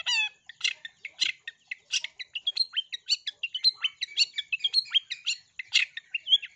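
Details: Long-tailed shrike singing an energetic lure song meant to stir other shrikes into song, full of sparrow-style burst notes: rapid, varied chattering phrases of sharp chirps, buzzy bursts and short whistles, nearly two notes per second, with no other sounds.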